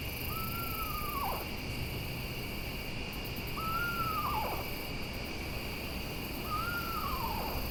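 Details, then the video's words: Eastern Screech-Owl at night, sounding far away though very close, giving three descending whinnies about every three seconds, each a level quavering note that drops off at the end, over a constant insect chorus hum. "They're so good at throwing their voice."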